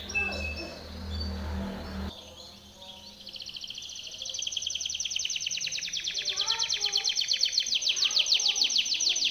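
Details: Timbrado canary training song: after two seconds of low background noise and rumble, a high rolling trill starts softly and swells steadily into loud, fast pulses to the finish.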